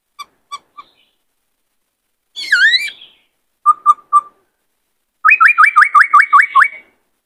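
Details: White-cheeked laughingthrush in captivity sings a varied, many-voiced sequence: three short clipped notes, a buzzy dipping phrase, a few quick whistles, then a fast run of about nine sharply rising whistled notes.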